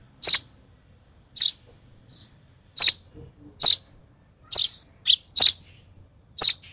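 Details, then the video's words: Sparrow nestling hand-fed for its last feed, excitedly repeating sharp high-pitched chirps about once a second, a few doubled or softer notes mixed in, quiet background. "Last feed of a UNLUCKY, Over Excited Sparrow Baby..."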